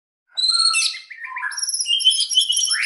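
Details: White-rumped shama singing gacor-style with rapid, close-fired phrases: a burst of varied whistles and chirps, first high and sliding, then lower rolling notes, ending in dense high trills and a rising sweep.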